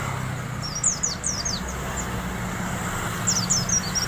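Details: Oriental white-eye from the wild in fine 'riwik' song, thin high descending whistles given in two rapid bursts over a low constant hum.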